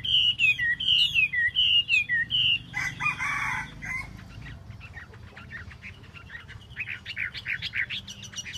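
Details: Tail-dancing Chinese hwamei repeating a clear two-part whistled phrase, a high note dropping to a lower one, four times, followed by a rough, grating burst and quieter scattered chips.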